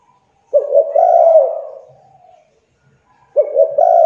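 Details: Spotted dove calling as a lure for doves that will not call: one full phrase of quick stuttered notes sliding into a long low coo that fades, then a second phrase beginning.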